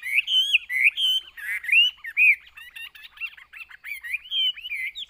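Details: Caged Chinese hwamei with a continuous, varied song of wavering whistles mixed with quick trills and harsher buzzy notes.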